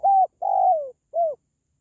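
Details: Spotted dove call for encouraging caged pet doves or drawing in wild doves when trapping: one crisp coo phrase of three hollow notes, the middle longest and gently falling in pitch, followed by silence.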